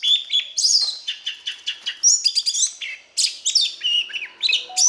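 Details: Oriental magpie-robin; song; fighting song to stimulate and train male birds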